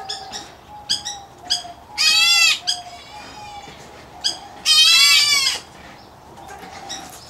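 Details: White-headed Black Bulbul chick in an aviary, Indian-area subspecies: two loud harsh rasping calls stand out among quieter clicks and a steady soft low whistle.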